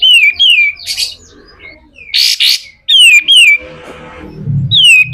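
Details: Pied triller performing its rough 'besetan kasar' song for tutoring other songbirds: repeated descending whistled slurs alternating with harsh noisy bursts, then a scratchy low passage before another whistle.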